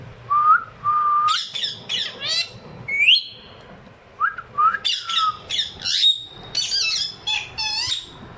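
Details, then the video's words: Pet ringneck parrot pair mixing short rising whistles with rapid, harsh, stacked squawks and chattering bursts, fairly continuous across the recording indoors. "My talking pair of ringneck parrot."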